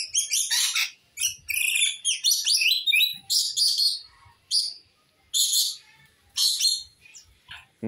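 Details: Chattering rainbow lorikeet played to lure back an escaped bird, giving loud, harsh, screechy bursts about a second long, repeated with brief gaps, buzzy and rasping high notes.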